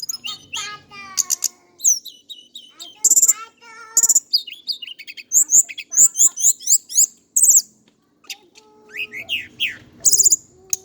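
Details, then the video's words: Male Indigo flycatcher from Java in a long, rich run of high whistles, slurred loops and rapid twittering chirps, phrases following one another with brief pauses and occasional short rattles. "KICAU BURUNG TLEDEKAN GUNUNG JAWA/SIKATAN CACING"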